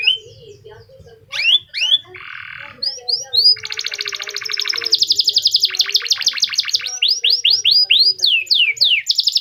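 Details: Unique-style song of an F1 canary, used to stimulate other canaries to sing: quick rising whistles, then a buzzy block, dense rapid trills and rolls, ending in a run of sweeping downslurred notes.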